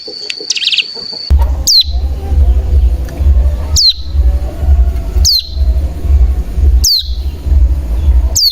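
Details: Cigun decoy call meant to provoke other cigun into singing: a brief high steady whistle with a fluttering trill, then sharp swooping notes repeated roughly every second and a half over a loud low rumbling background.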